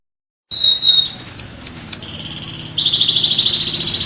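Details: National champion canary song: loud high whistled notes and short trills, ending in a fast, even, rolling trill held steadily for over a second.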